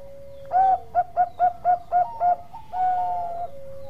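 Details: Zebra dove of the Bangkok perkutut type, singing strongly, gives a long mellow coo, then six short bubbling coos at an even pace, and ends on a drawn-out lower note over a quiet background.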